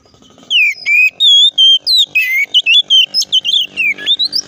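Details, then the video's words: Provocative fighting song of a white-rumped shama, intended to make other shamas agitated: after a short quiet start, long pure whistled notes give way to rapid, varied chopped phrases with sharp slurs, steady and loud throughout. "KACER GACOR NGEPLONG TARUNG KONSLET❗PALING AMPUH BUAT PANCINGAN KACER AGAR EMOSI!"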